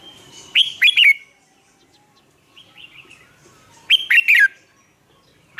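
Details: Red-whiskered bulbul kept as a lure bird, singing to train caged bulbuls: two loud clicking, whistled warbled phrases separated by a softer short call, about three seconds apart.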